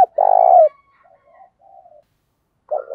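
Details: Decoy spotted dove cooing to entice wild doves: a long gravelly, vibrating coo falling at its end, followed by faint low murmurs and the opening of the next stuttered phrase.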